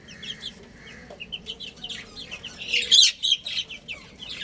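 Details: Baby chickens eating and playing: rapid runs of short, high peeping notes, several a second, rising into a louder cluster of overlapping chirps midway, against a quiet background.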